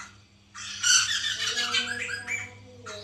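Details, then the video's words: White-crested laughingthrush recording used to coax a captive bird into song: after half a second of near quiet a loud harsh cackling burst runs for two seconds, then a shorter chattering outburst follows near the end. "pancingan Poksay mantel agar bunyi"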